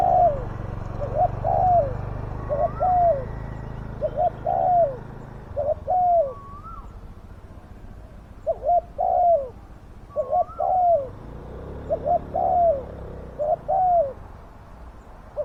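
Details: Spotted dove used as a decoy to lure and catch wild doves, described as having a big, fierce voice. It gives deep two-part coos, a short note and then a drawn-out falling one, repeated in bursts. A thin rising whistle from another bird sounds now and then.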